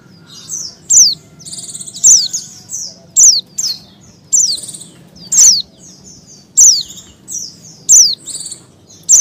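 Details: A female Oriental white-eye in breeding condition calls to attract a male: thin, high chirps and short twittery notes, roughly one burst per second, over a faint low hum.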